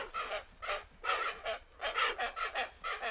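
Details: Hoatzins at Thaimaçu Lodge, Brazil, giving hoarse, wheezy, honking calls in a rough series of about ten short bursts, each about a third of a second, spaced irregularly, with a quiet background.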